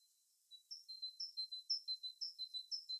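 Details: Birds singing in their natural habitat: after half a second of near silence, high piping notes begin, alternating a short bright upper chirp with a steady lower whistle, roughly two pairs per second, evenly paced, with nothing else audible.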